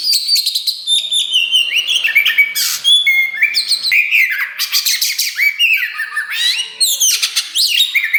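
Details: Kacer wulung (black Oriental magpie-robin) singing loudly and continuously, a mix of high thin whistles, rising slurs and harsh raspy bursts with almost no gaps.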